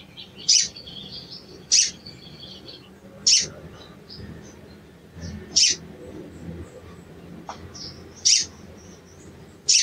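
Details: Lure call of a sooty-headed bulbul, 'cuit cuit', meant to rouse a bird that is not singing: six shrill, high chirps spread over ten seconds, with faint higher warbling between them over a low background hum.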